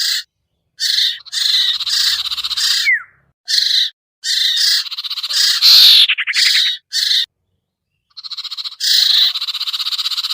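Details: Harsh chattering lure calls of the sirtu iora, played to pull birds down: pulsed raspy bursts in quick succession, one falling whistle, a quick trill, then a long pause before more buzzing.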